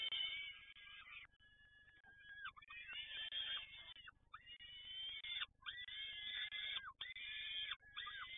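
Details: Peregrine falcon at Toruń giving loud, harsh, wailing calls with several harmonics, each bending downward at the end. The calls come in long bursts separated by short gaps, repeated almost without pause, over a low background hum.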